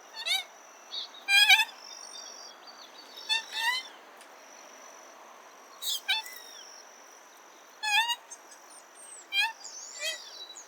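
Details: Common moorhen with repeated short, croaking, harmonic-rich notes, some doubled or tripled in quick bursts and spaced irregularly, with faint high chirps and a continuous thin whine behind.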